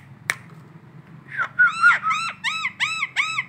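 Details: Ngekek call of a collared kingfisher in the morning, Indonesia: after a sharp click and a pause, six harsh downslurred notes follow each other at an even pace.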